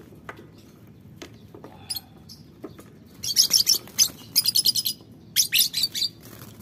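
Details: Lovebird of the green violet colour form, heard in the morning: after a quiet start with scattered soft clicks, bursts of shrill, very high chirps come in rapid clusters of several notes, three loud bouts over low background rumble.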